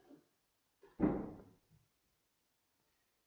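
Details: A brief indoor thump, like a door or drawer closing, with a faint knock before it; no animal voice is heard.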